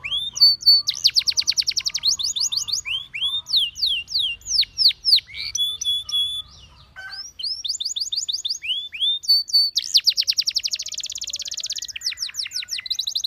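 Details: Song of a canary calling other canaries to join in: fast bursts of sharp repeated notes and short whistled phrases, a brief pause in the middle, then a rich rolling trill and more quick chips.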